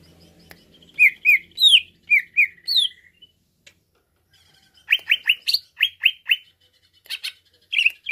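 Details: Song of a greater green leafbird, meant to excite a listening leafbird. Paired clear whistled notes and a falling slur are followed by a gap with scattered clicks. A second fast series of rising chirps and a short rattle come after.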